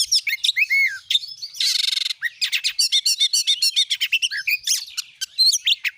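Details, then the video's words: Oriental magpie-robin (Kacer) lure song for prompting kept birds to sing: dense, fast run of high chirps, trills and sweeping whistles, with a buzzy rattling burst near the middle. "jadikan burung Kacer anda cepat gacor dengan pancingan burung Kacer ini"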